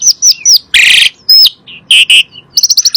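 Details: Asian pied starling song played as a lure to make other kept birds sing: loud, varied phrases of whistled upslurs, harsh broadband rasps and a closing rapid series of short high notes.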